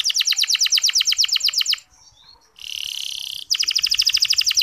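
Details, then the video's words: Canary ngeriwik song, long and clear, used as a lure to liven up male canaries reluctant to sing: a fast rhythmic trill, a brief pause, a steady buzzy note, then the trill resumes. "Suara Kenari Ngeriwik Halus"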